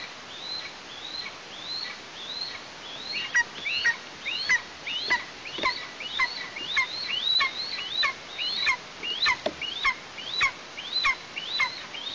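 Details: Eastern imperial eagle juvenile, female, calling near her Tatarstan nest on 17-08-2023, days after first flight; long series of rising-then-falling hoarse yelps repeated almost twice a second, partly overlapping, with hiss behind.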